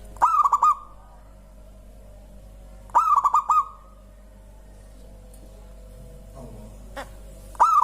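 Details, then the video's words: Local zebra dove singing so that other birds join in: two full rolling phrases of four quick coos, nearly three seconds apart, and a third starting at the end, with soft low background sounds between. "Suara indah perkutut lokal bikin burung lain ikutan bunyi gacor"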